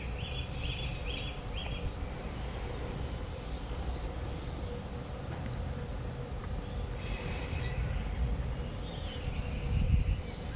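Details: Common swifts at the entrances of observation nest boxes on a house in Beek-Ubbergen, 8 June 2014: two brief, shrill, high screaming bursts about six seconds apart, fainter chirps between, over a low rumble.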